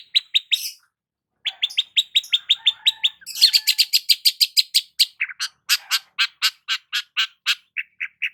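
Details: A long-tailed shrike sings while sunning itself in the morning: a rapid run of sharp, high chips, several per second, breaking into harsher buzzy notes and scratchy trills.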